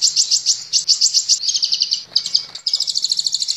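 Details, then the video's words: Caged-bird training master of a sunbird (kolibri ninja): a continuous high, buzzy rattling trill of rapid pulses, briefly pausing, then racing on. "Masteran Burung Kolibri Ninja"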